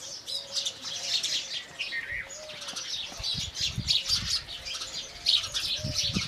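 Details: House sparrows from India chirping in the morning, with busy overlapping high tweets throughout and soft low thumps, like wing flaps or handling, in the second half.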